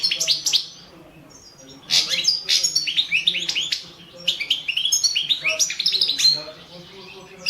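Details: European goldfinch of the balcanica subspecies singing in a 2017 online world championship recording under Serbian association rules; bursts of bright, tinkling twitters and buzzy trills separated by short pauses, with soft low hum in the background.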